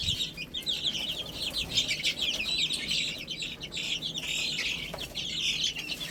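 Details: Baby chickens eating spinach, a brood of chicks peeping constantly in a dense, overlapping chorus of high, short, downslurred cheeps, with faint background hum.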